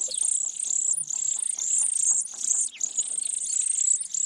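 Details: Nestling sparrows in a pine-top nest calling for food from their parents: a continuous, shrill, high chatter pulsing about two to three times per second, with one brief dip near the end.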